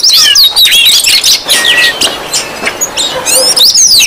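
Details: Oriental magpie-robins calling noisily as a provoking lure: rapid, irregular bursts of clear whistled slurs and chattering notes, about three a second, with a lone steady whistle in the middle.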